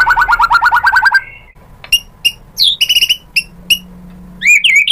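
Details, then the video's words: White-rumped shama lure song to make a rival answer: a fast rhythmic trill of repeated notes, silence, then scattered sharp high chirps and squeaky phrases ending in varied whistles. "pancingan MURAI BATU GACOR FIGHTER ampuh untuk menaikkan emosi biar NYAUT BONGKAR ISIAN | SHAMA BIRD"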